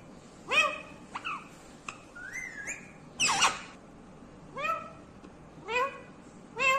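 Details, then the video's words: Pet talking parrot mimicking words: short speech-like syllables, a rising whistle, then a harsh rasp and several evenly spaced, falling, voice-like calls, indoors with faint room noise. "बोलने वाला तोता मिट्ठू talking Parrot"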